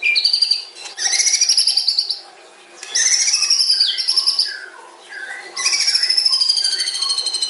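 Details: Murai batu, the white-rumped shama, in a long, fast song: bursts of high trilled and buzzy phrases with lower whistled notes between them, separated by short pauses.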